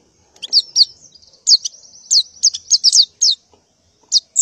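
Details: In the morning a female white-eye in breeding condition calls for a mate with sparse, sharp, high downslurred chirps, given singly or in short pairs with brief pauses between.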